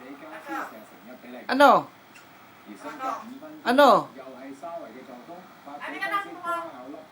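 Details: A common myna mimics human speech, said to be bad words, in harsh phrases: two loud, sharply falling utterances about two seconds apart with softer chatter between.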